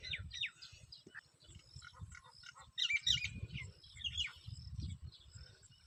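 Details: Several birds chirping in a peaceful village setting in summer: scattered short high chirps and quick whistled notes from more than one bird, over a low rumbling background.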